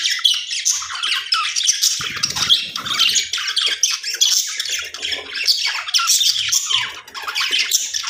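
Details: Aviary budgies kept at home, many birds chattering at once: a continuous wash of scratchy squawks, chirps and warbled notes, with brief louder bursts near the middle.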